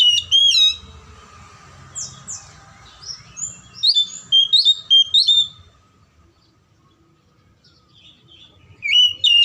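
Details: Oriental magpie-robin song used as a lure to stir silent or lazy magpie-robins into singing: loud clear whistled notes with sharp upslurs, then a burst of varied chirpy high phrases, a pause, and another whistle, over a faint low hum.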